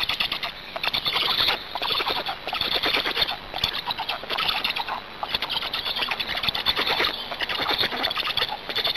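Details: Feeding at a black stork nest in Hungary, 26 May 2019 at 18:53, filled with unbroken rapid squeaking and rattling clicks that swell and fade, a thin high electronic whine running throughout.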